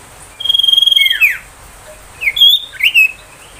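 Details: Ashy tailorbird singing a 'tembakan' song meant to train magpie-robins and bring young tailorbirds into song: a long, steady piercing whistle slurs downward, then a few short rising and falling whistled notes follow.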